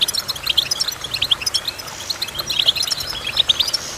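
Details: Goldfinch song: rapid, bright twittering of short chirps and trills, with clusters of notes repeating through the four seconds over a faint steady background hiss.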